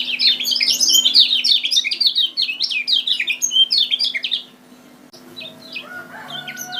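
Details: Lombok kecial kuning song used as a trapping lure: a fast, continuous stream of high, bright chirps and trills lasting about four seconds, then softer scattered notes and a short whistle, with a constant low hum beneath.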